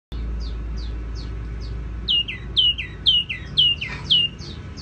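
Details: Tiểu mi songbird singing: a run of short, bright downslurred whistles repeated about twice a second, growing louder and clearer halfway through, over a low steady hum.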